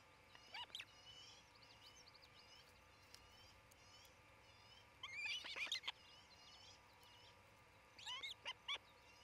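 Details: Osprey couple raising a family at a treetop nest in Charlo, Montana, nest camera, 27 June 2018 late morning; brief bursts of rapid high chirps arrive in three clusters separated by several seconds of quiet.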